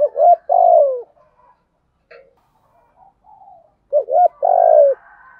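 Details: Spotted dove in the deep 'giọng thổ' voice giving 'thúc gù' coos. Two phrases, each a short double coo plus a long falling coo, are separated by a quieter stretch with faint scattered sounds.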